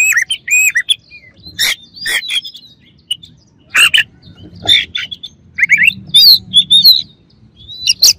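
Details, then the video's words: Varied Oriental magpie-robin song meant to agitate rival birds: rapid chirps, rising whistled notes and several loud harsh rasps spread across the phrase. "KACER LAWAN AUTO EMOSI DENGER INI"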